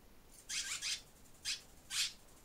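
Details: Barn swallow pair beside their nest in spring, a pair that has nested here four years, back by April 2024 and raising two chicks; four short bursts of scratchy, high twittering within a few seconds, quiet between them.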